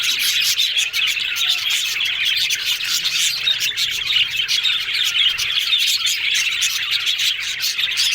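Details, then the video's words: A flock of yellow budgerigars keeps up loud, even chatter, dense overlapping chirps and warbles studded with rapid rasping clicks from start to finish. "Yellow Budgies Talking Sounds Happy"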